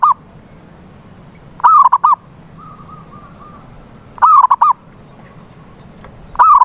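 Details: Lure recording of a zebra dove meant to coax a silent dove into singing: hollow cooing phrases repeated roughly every two and a half seconds, each slurred and then stuttering, with soft level notes between two of them.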